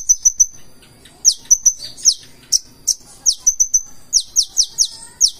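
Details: Konin, the Purple-throated sunbird, singing its full 'isian' in 'gacor' form: thin high whistled notes in threes followed by strings of sharp, bright downslurred chips at a quick, uneven pace.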